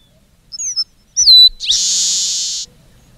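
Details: Red-breasted meadowlark song: two brief whistles, a clear whistle sliding onto a level pitch, then a long, dense buzz of over a second, with very little background sound.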